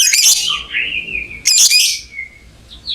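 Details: Lovebird giving two loud rasping squawks, each trailing into a long steady whistled tone, indoors.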